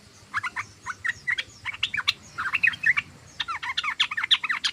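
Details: Chattering sooty-headed bulbul: clusters of fast, sharp, jumbled notes with short pauses between, lively and uneven.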